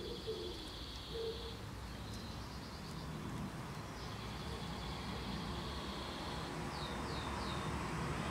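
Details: Five common linnet nestlings about 3-4 days old beg in the nest with thin, high, buzzy hissing in drawn-out bursts and a few quick chirps as they are fed, over a low traffic rumble and a faint dove coo.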